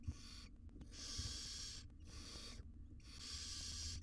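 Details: Barn owl family in a wild research nest box, the mother grooming tiny chicks; two long, steady breathy hisses of over a second each, with quiet rustles and a low hum between them.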